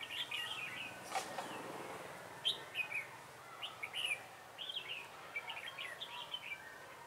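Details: A decoy red-whiskered bulbul sings during a trapping session on 3 November 2017. Quick, chirpy, warbling phrases come in bursts about every half second to second, with a brief noisy thump early on and steady background hiss.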